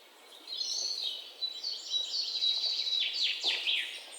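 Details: Several birds chirp together: high whistled notes and quick downward-sweeping chirps overlap in a steady, busy chorus with no other clear sounds.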